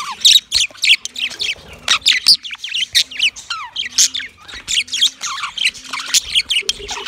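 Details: Male yellow budgerigar chirping in a mating context. It gives a busy, continuous warble of sharp tweets, buzzy squawks and quick downward-slurred notes in bursts every fraction of a second. A soft low droning hum sits in the background.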